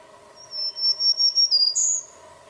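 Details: Black-throated Green Warbler in spring woods at Cherryfield, Maine, singing its "trees, trees, beautiful trees" song: a run of about five high, buzzy notes ending in a higher slurred zee, over a steady low hum.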